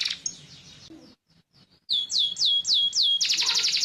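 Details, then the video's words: Yellow canary: quiet twittering, a brief pause, then five looping whistled swoops in a row and a quick buzzy trill. "cannary bird yellow"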